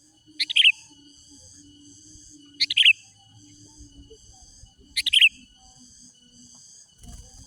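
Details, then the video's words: Sooty-headed bulbul song for calling rivals and luring wild birds: three short bubbly phrases, each of two or three quick notes, repeated about every two seconds, with a continuous high tonal hum behind. "Mikat Kicau Manai Menari Mencaru Lawan Kutilang Liar"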